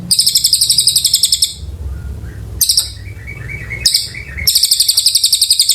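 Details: Oriental white-eye in long, lively song, used as tutor material for magpie-robins: loud bursts of rapid, bright, high chirps repeated in fast series, with softer thin whistled notes in the pauses between bursts.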